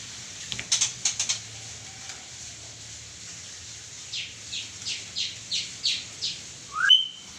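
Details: Songbird giving a few sharp clicks, then a steady series of about eight short, bright descending notes roughly every third of a second, ending in one loud upward whistle.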